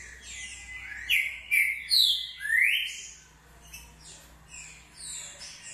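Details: A green-winged saltator sings its short song, a clipped phrase of three or four loud whistles that sweep upward and downward, followed by softer trailing notes and light high twitters in the background.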